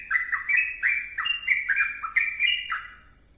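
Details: Bursts of rich, bubbling whistles from a vigorously singing sooty-headed bulbul, the phrases rising and dipping before the song fades out at the end.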